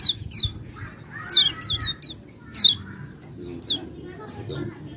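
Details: Common iora song played as a lure for silent birds: rapid descending whistles in clusters with a softer buzzy warble between, under a low hum.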